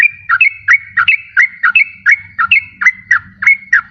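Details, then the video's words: Repeated yellow-vented bulbul notes used to lure wild birds or encourage a silent caged bird: paired, slurred whistles falling then rising, steady and rhythmic, over a faint low hum. "SUARA PIKAT BURUNG TRUCUKAN PALING DI CARI || BISA JUGA BUAT PANCINGAN TRUKAN MALAS BUNYI."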